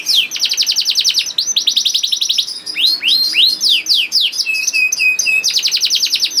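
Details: Young canary song serving as a prompt for canaries that are slow to sing: dense rapid trills of repeated sweeps, arched swooping notes, short flat whistles, and a final fast trill.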